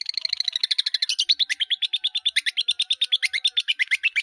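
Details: Long-tailed shrike singing hard with many mimicked phrases, used for training caged birds, gives a fast even chattering trill of buzzy notes repeated about three times a second, holding steady for over four seconds.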